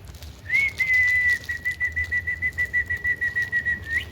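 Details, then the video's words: Indian ringneck parakeet giving a long, steady, high whistle held at one pitch for over three seconds, pulsing rapidly in volume, with a low hum beneath. "Indian Parrot talking And Making Sounds"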